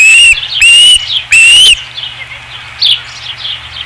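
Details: Osprey at the nest, 5 August 2016, giving three loud, high whistled calls, each a slightly rising note with strong overtones, separated by short gaps, followed by faint softer chirps.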